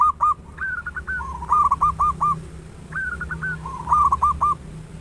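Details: Local zebra dove with a big voice, a recording meant to prompt other doves into singing; rapid chains of short hooked coos, a high broken opening then lower rolling notes, two full phrases.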